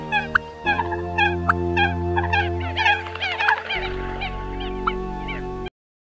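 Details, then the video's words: Eurasian coot calls used as a lure for catching birds during the October 2020 start of the migration season: many short, rapid, nasal clucking notes, tumbling over one another at a fast, uneven pace, over a steady low musical drone. "Tiếng Sâm Cầm Mới Nhất Tháng 10 - 2020 - Tiếng Sâm Cầm Đầu Vụ"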